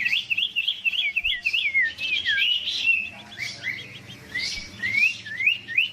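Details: Fired-up Huyt Co bird in competitive song: continuous swooping, warbled whistles, several dipping and rising notes strung together rapidly.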